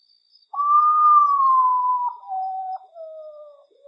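A common potoo's mournful whistled song: a long, loud opening note followed by shorter notes stepping steadily lower and fading, in quiet surroundings.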